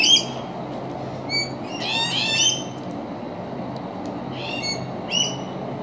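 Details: Yellow-tailed black cockatoo (Zanda funerea), call.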